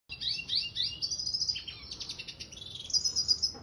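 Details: Red siskin mule, a finch hybrid, singing: high twittering trills and buzzy warbled phrases, a brief lower slurred run in the middle, then a sustained very high thin trill at the end.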